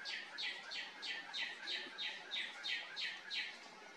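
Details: A male northern cardinal sings in a tree near a house in the evening, marking territory or courting; a fast run of about a dozen clear, downslurred whistles, roughly three per second, over soft background hiss.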